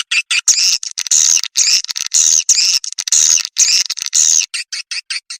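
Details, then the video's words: Swiftlet lure sound: loud, high, hoarse buzzing trills about half a second long, repeated in quick succession between short clicking notes. "suara pemanggil burung walet"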